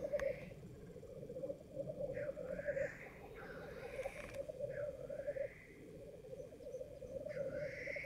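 Black grouse give a continuous low, dove-like bubbling chorus, broken every few seconds by harsh, rising hissed sneezes.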